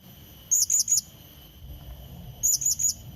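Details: Blue-crowned hanging parrot lure call used to draw in and challenge a rival: two bursts of three very high, thin, sharp chirps, each burst under half a second, about two seconds apart, over a steady faint high whine and low rumble.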